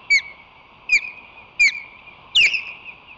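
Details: Ospreys, a breeding pair at their nest, defending it against one or two intruding floaters in July; sharp, piercing whistled calls that slide downward, repeated about once a second, over a steady background hum.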